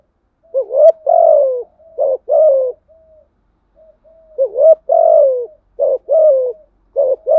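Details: Spotted dove lure song attracting wild doves, thổ voice, with calling, urging and cooing parts: repeated low two-part coos, rising hoot then falling note, interspersed with soft quiet murmuring coos.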